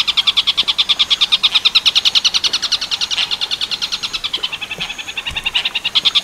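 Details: Long-tailed shrike singing tengkek buto style for a training recording: fast, harsh repeated notes in a continuous chatter, about eight per second, with slight rises and falls in loudness.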